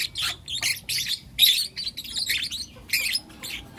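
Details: Lutino lovebirds, four youngsters, chirping in the morning with loud, harsh, buzzy bursts in clustered series, pausing briefly between groups of calls.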